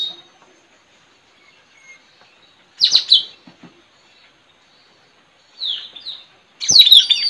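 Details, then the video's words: Village recording, 4 April 2021: a caged Straw-headed bulbul kept as a lure for wild birds gives three separate bursts of sharp, high downslurred notes, spaced several seconds apart with quiet between them. "Adu gacor puling parit pikat"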